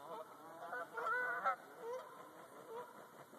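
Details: Geese passing overhead of a canoe in a forested watershed in Talladega National Forest, Alabama. Scattered nasal honks are loudest midway, then fade into softer, more distant calls against quiet background hiss.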